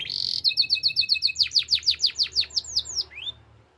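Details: Russian canary singing: a brief buzzy opening, then a fast series of bright clipped notes, followed by a run of quick downslurred whistles about eight per second, ending on a single rising note.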